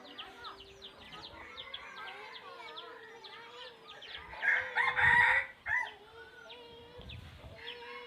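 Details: Wild junglefowl crowing with layered wavering tones. A loud, rough crow peaks around the middle, and fainter calls continue before and after it.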